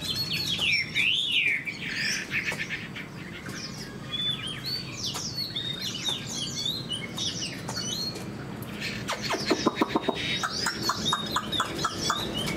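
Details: Chinese hwamei in a cage, a fan-tailed bird with an eagle-wing display that fights well, pours out a rich song: looping whistled phrases, high slurred notes, and bursts of rapid sharp chirps near the end.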